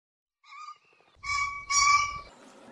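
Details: Common pheasant calling: a soft two-tone harmonic note, then two loud harsh rasping bursts with a low fluttering rumble beneath them, fading into a quieter hiss.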